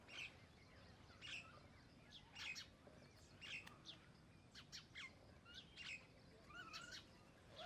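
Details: Common myna (Acridotheres tristis) calling: a varied jumble of chirps, short whistles and harsh notes, about one burst a second, over a steady low rumble of background noise.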